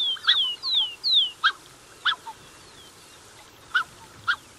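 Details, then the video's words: Black-necked Swan family, pair with cygnets, recorded close: three prominent descending whistles open, followed by widely spaced, short nasal honking notes. "Black-Necked Swan. MCU Calls From Pair With Cygnets."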